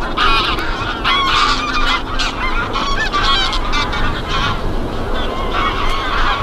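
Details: Goose flock in December snow along the Kromme Rijn, the Netherlands: dense, overlapping nasal honks from many birds, some short and clipped, others drawn out and wavering, in a continuous chorus for over six seconds with soft low background noise.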